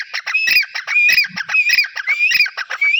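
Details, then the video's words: Loud, continuous calling from a pair of grey francolins: grating squawks mixed with upward-slurred whistles, repeated in a steady fast rhythm. "Amazing pairs dahkhni teeter/ 20 minutes sounds dahkhni teeter."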